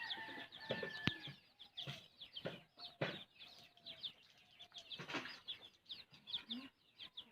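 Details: Hen feeding her chick: soft repeated clucks with a steady stream of high, thin peeps from the chick, plus scattered knocks and rustling.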